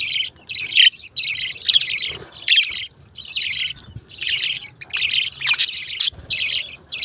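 Budgerigars chirp and chatter in quick, scratchy bursts, with short pauses between each busy phrase.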